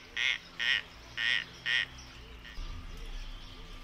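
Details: Javan pond heron giving four harsh, hoarse croaking calls spaced about half a second apart over two seconds, followed by quieter background with faint low rhythmic chirping.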